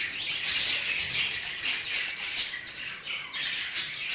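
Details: Busy aviary of Hagoromo budgerigars: a steady wall of high, scratchy chirps and warbling squawks from many birds, tumbling over one another without pause.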